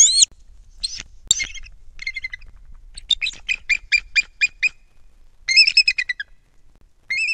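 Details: Bald eagle pair at a nest more than 100 feet up in a loblolly pine by Kincaid Lake, central Louisiana, on 12-19: high, squeaky piping notes, then a fast series of about eight evenly spaced chirps, followed by another rapid burst.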